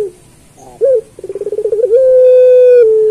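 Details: Master song of a puter pelung turtle dove for teaching other pelung doves: one short sharp hoot, then a quick accelerating string of throbbing pulses rising into a long, steady, slightly falling low coo.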